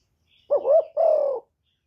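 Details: Low, hollow cooing by a decoy spotted dove from Cà Mau, Vietnam, used to provoke wild doves: a short warbling note, then a long level coo that sags slightly at the end, recorded close and clean.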